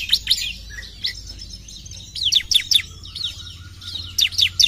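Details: Sparse ciblek phrases: a few sharp, high, clipped notes, a pause, then a brief cluster of bright downslurs and a final quick pair, against a quiet low hum.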